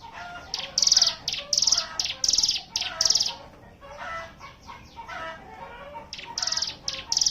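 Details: Group chorus of Hill prinias (ciblek gunung), ngebren song used to lure other birds into singing: shrill buzzy bursts repeated about once or twice a second, a quieter gap in the middle, then resuming.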